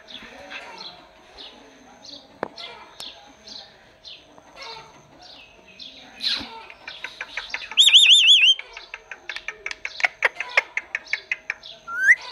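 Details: Kept talking parrot utters soft chirps, then a loud wavering whistle and a fast series of clicking, chattering notes, ending on a rising whistle; a low hum persists.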